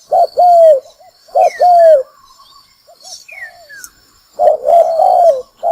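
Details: Spotted dove calls used to decoy wild doves into traps: two short-long coo phrases, a pause with soft distant coos and thin falling whistles, then a longer run of low hoarse cooing.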